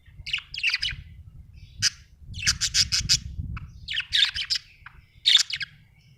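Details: Happy budgerigar chatter: dense runs of harsh, buzzy chirps and squawky notes in rapid sequence, louder bursts near the end, over a low rumbling background.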